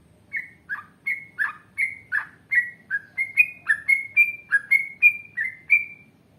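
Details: Yellow-vented bulbul singing in a lively, vigorous style with long trills and drawn-out phrases: about sixteen short, clear whistled notes in quick succession, alternating slightly falling and rising, climbing gradually higher toward the end; quiet low hum underneath.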